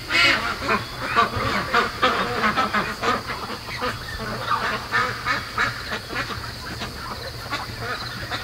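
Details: Domestic ducks raised from hatching, now 73 days old, still awake at 3 AM; continuous busy quacking, several short calls per second overlapping from a group, with a constant low electrical hum.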